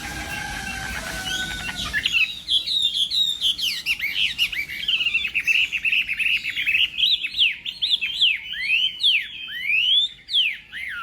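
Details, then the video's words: Chinese hwamei in a singing contest, morning voice training: after two seconds of hiss, a loud run of rich whistled notes with rapid downward-swooping slurs, dense and varied, continuing without pause to the end. "Hoạ Mi Hót Đấu /hoạ mi hót sáng luyện giọng kich bổi sổ giọng chim hót hay mỗi ngày/"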